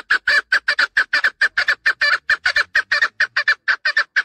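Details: Loud chukar partridge call: a rapid, even stream of clucking chuck notes, mostly paired, about five per second throughout, with nothing else audible.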